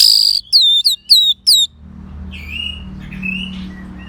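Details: Orange-headed thrush song, used as playback to coax a bird that has stopped singing into singing loudly: four loud, clear whistled notes, each sliding downward, in quick succession. Soft, distant bird phrases and low background hum follow.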